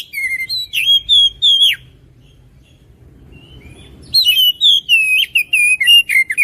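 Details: Oriental magpie-robin in full song: loud clear whistled phrases sliding between high and lower notes, a burst of several notes, about two seconds of quiet, then a longer run of rapid varied whistles.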